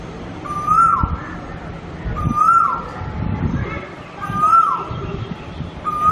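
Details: Cuckoo repeating a loud, upslurred whistle that falls away sharply at the end, four times at roughly two-second intervals, over low rumbling background noise.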